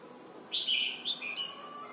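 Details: Red-whiskered bulbul from Thailand, song for tutoring young birds: a single loud whistled phrase that starts high and slurs downward into a trailing warble, lasting about a second and a half.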